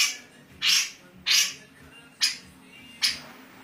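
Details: Grey-cheeked Bulbul, a bird prized for its coarse, harsh voice: five rasping, noisy bursts at irregular intervals, each under half a second, high and harsh over a faint low hum.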